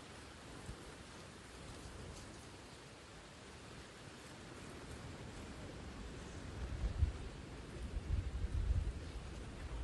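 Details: Quiet outdoor hiss with low wind buffeting that grows louder toward the end, and no animal sound.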